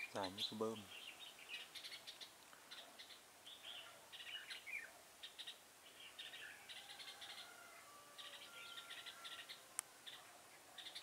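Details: Red-whiskered bulbul decoy bird used for trapping, 6 November 2017: a busy run of quick chirping, whistled notes, with a couple of louder clicks near the start and a sharp tap late on.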